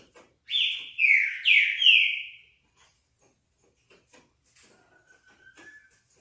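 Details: Classic song of a green-winged saltator, four rich slurred whistles falling in pitch in quick succession, then near silence with faint clicks and a thin, level whistle.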